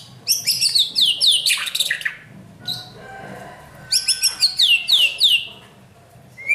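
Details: White-rumped shama being trained, giving fast series of descending whistled notes in two bursts separated by a quieter pause with a faint steady tone.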